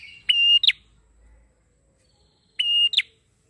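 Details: Prinia in lively song, used as a lure for training young birds: two short buzzy, high-pitched whistled notes with ringing overtones, each ending in a brief rising flick, about two and a half seconds apart, over near silence.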